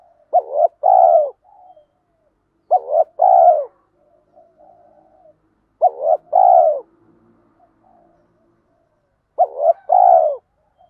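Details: Urging 'thúc gù' coos of a spotted dove decoy, used to stimulate other doves; four phrases roughly three seconds apart, each a short broken note then a longer mellow downward coo, with faint quiet coos in between.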